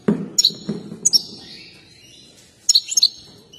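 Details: Excited European goldfinch dancing as it sings: sharp clipped chirps, a longer thin twittering phrase, then a quick cluster of bright notes, over a few low thuds.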